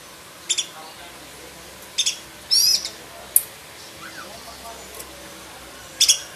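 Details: Black-breasted oriental magpie-robin in full, varied song, used to tutor other magpie-robins: a run of sharp high notes, a longer whistled sweeping phrase and a single crisp note, then softer falling chirps, with a gap before a final burst.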